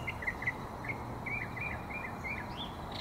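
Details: Northern mockingbird at South Meadows on 24 September 2023, giving a quick run of short chirpy notes that vary in shape and pitch, roughly a dozen in three seconds, over a steady low hum.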